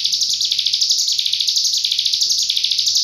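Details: Cigun singing an unbroken, rapid, high-pitched fizzing trill in 'full nembak' style, a master recording for tutoring other cage birds. The song beats in quick regular pulses. A faint hum runs behind it.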